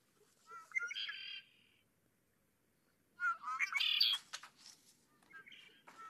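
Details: Red-winged Blackbird (Agelaius phoeniceus) gives two gurgling 'conk-la-ree' songs, each a few clear opening notes then a harsh, buzzy, rattling trill, followed by a fainter chirp at the end.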